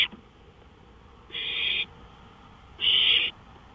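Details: At 1:53 AM on May 5, 2013, an owl outside a porch gives two drawn-out raspy hissing notes, roughly a second and a half apart, against low steady background noise.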